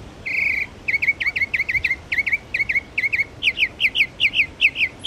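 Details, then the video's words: A Northern Mockingbird running through its repertoire at Belle Isle Marsh Reservation, East Boston, Massachusetts: a short buzzy note, then a quick run of bright, slurred chirps, about four per second, rising higher toward the end. "Northern Mockingbird bird songs"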